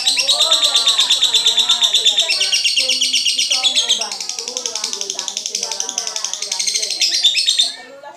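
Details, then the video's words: Lovebird song: a steady, high, chattering trill of scratchy notes repeated several times a second, slightly softer in the middle, then loud again before ending abruptly. "aksi suara burung Lovebird"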